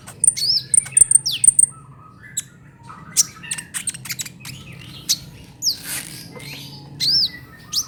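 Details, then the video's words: Trotol-style song of a Brown-throated sunbird, a tutor recording for songbirds: a run of thin, very high piping notes, then scattered sharp chirps and squeaky slurred whistles spaced irregularly. "KICAUAN KOLIBRI NINJA TROTOL UNTUK MASTERAN BURUNG BERKICAU"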